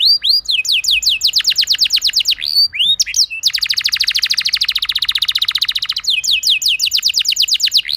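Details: Canary lure song for getting other canaries to sing: quick descending notes repeated, a few rising whistles, then a dense rapid roll lasting over two seconds, followed by more fast falling notes.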